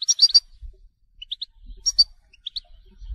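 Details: Short goldfinch telqam phrase: a quick cluster of bright twitters, a few isolated rising whistled notes, then another twitter burst over faint low rumbling.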